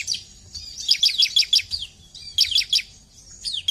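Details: Bar-winged prinia uttering rapid high downslurred chips in two short bursts separated by a pause, ending with a couple more sharp notes.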